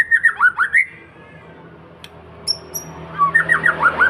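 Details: A white-rumped shama in full song, used to lure other birds into singing, pours out bursts of quick, swooping whistled notes. A quiet gap with a few high thin notes separates two bursts.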